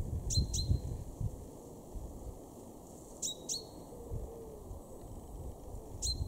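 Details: Male chaffinch in a garden in Weener, East Frisia, far northwest Germany, March 2023: sharp metallic high notes in pairs, each pair roughly three seconds apart, three pairs in all, over a low rumbling background.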